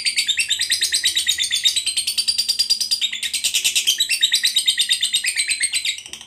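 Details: Long 'ngekek panjang' trill of a fighter lovebird, played to trigger rival lovebirds: an unbroken, fast, high-pitched chattering roll, slightly uneven in rhythm, lasting about six seconds before trailing off.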